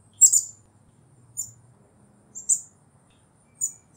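Black-capped chickadee giving short, very high, thin chips, four quick bursts roughly a second apart, over a faint low hum.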